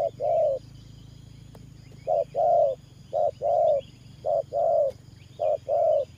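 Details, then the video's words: Decoy spotted dove for trapping, 'thổ pha' cooing: low paired hoots, short note then long mellow coo, opening phrase followed by a pause and four more evenly spaced pairs, light background chirping and hum. "Thổ Pha Nước Gù AE Tự Thẩm.Clip288_ Nết Gù coi sướng mắt"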